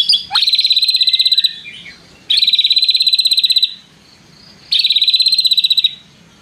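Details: White-rumped shama mimicking a long prenjak-style trill: three rapid, evenly pulsed, high rattling trills, each about one to one and a half seconds long, separated by quiet gaps.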